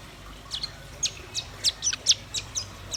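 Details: Velvet-fronted nuthatch and white-rumped shama singing busily together: a run of sharp, very high chirps and short downslurred ticks, spaced irregularly over three seconds, some louder than others, with a quiet background.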